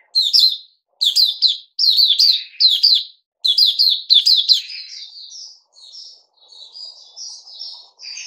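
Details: Kept Puteh Raja bulbul recorded 8 May 2021: about seven emphatic bursts of bright, chattering chirps, roughly one per second. The song then softens into quieter, sliding whistled notes.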